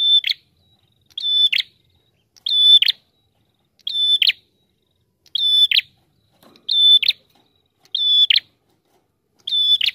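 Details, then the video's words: Eight phrases from a wild visiting prinia in vigorous song, spaced about every one and a quarter seconds. Each holds a clear, high, flat tone and then ends in a short, scratchy buzz. The background is clean. "Prenjak TAMU Gacor Ngalun Rapat"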